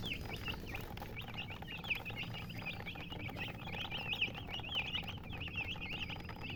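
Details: Chickens giving rapid, high, wavering cheeps in a near-constant chorus of overlapping peeps, over a steady low hum.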